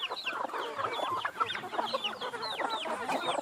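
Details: Busy free-range hens being fed in Brazil: constant overlapping clucks mixed with thin, arched squeaky notes that rise then drop, repeated many times across the flock.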